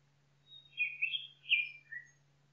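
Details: Nightingale song heard in a forest, a series of loud, fluty, slurred notes rising and falling, closing with a lower short chirp, with a quiet low hum throughout.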